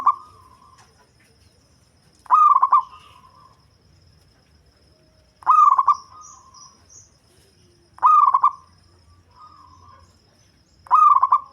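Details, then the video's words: Deep-voiced local zebra dove kept for luring birds: four loud, stuttering, bubbly coo phrases spaced roughly three seconds apart, each fading into a faint level tail, with near silence between. "Perkutut Lokal Suara Ngebas || Cocok Buat Pikat"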